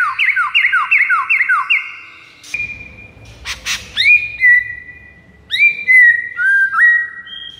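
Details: Song of a white-rumped shama played to lure rival shamas. It opens with a fast series of sharp downslurred whistles, then a brief noisy burst, then long ringing whistles and upward-swept notes.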